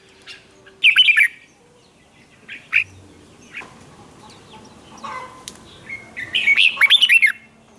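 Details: Red-whiskered bulbul giving hót ché contest song aimed at provoking rivals; two short warbled phrases of looping whistles, one near the start and one near the end, with scattered faint notes and quiet between.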